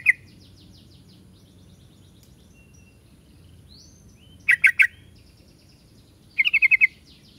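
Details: Trucuk, the yellow-vented bulbul: scattered soft whistles, then two tight bursts of three and five clipped, bright chirps near the end.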